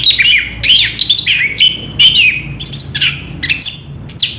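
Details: Ngerol song of an orange-headed thrush, with rich warbled whistles dipping and rising in quick succession and bright high notes toward the end.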